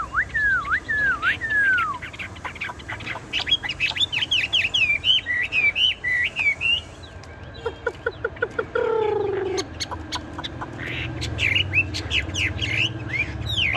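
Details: Tame caged Chinese hwamei that keeps singing even when its cage is shaken. It gives a loud, varied run of clear whistled phrases, slurred up and down and closely spaced, then a quick rattling trill, then more high whistles.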